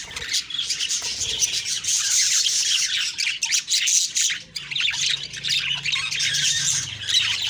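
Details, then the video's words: Chirping budgies at morning, October 2, 2023, a busy stream of buzzy twitters and squeaky notes from a group, dipping briefly halfway through before resuming. "Beautiful morning birds chirping sounds/Budgie sounds"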